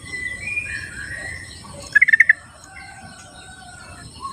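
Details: Sooty-headed bulbul in its wild habitat utters a short, fast series of about five bubbly chirps, with other birds whistling softly in the background before and after.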